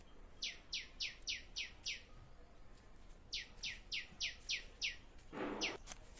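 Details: Birds in a small food forest garden; one repeats sharp downward-sweeping chip notes in two bursts of about six, evenly spaced, over faint background noise and a brief rustle.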